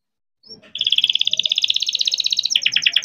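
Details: Young captive-bred canary in full rolling song, used as a lure to prompt young or silent canaries to sing; a brief high whistle, then a fast, even trill of bright repeated notes, shifting near the end to a coarser, lower trill.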